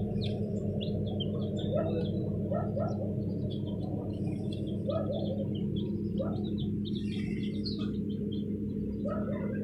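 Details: Newly hatched chicks in an incubator peep in thin, high chirps over a steady low mechanical hum.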